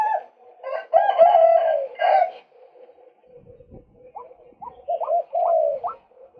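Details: Male White-breasted waterhen recorded for luring birds: harsh, buzzy bursts rich in overtones, then a run of short hooked notes rising sharply, all in a mid-pitched, nasal register.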